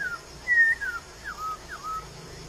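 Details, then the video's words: Wild laughingthrush giving clear whistled notes around mid pitch, a long level whistle followed by slurred downward phrases, spaced about half a second apart over a quiet background. "KEHIDUPAN BURUNG POKSAI D ALAM LIAR_POKSAY"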